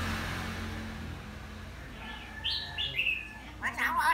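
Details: Hill myna imitating sounds such as a phone ringtone and car horn: after a quiet start, a few short clear whistled notes sliding up and down, then a burst of harsher, wavering, speech-like notes, with a faint background hum.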